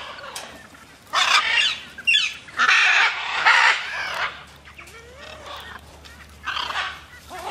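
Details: Macaws in free flight giving harsh, raspy squawks in four separate bursts of about half a second to a second each, with quieter gaps and faint lower chatter between them.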